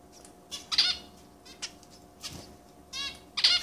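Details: Zebra finch chicks begging while being fed by parents in a shared cage holding three pairs; harsh raspy high squeaks in short bursts, with wing flutters between.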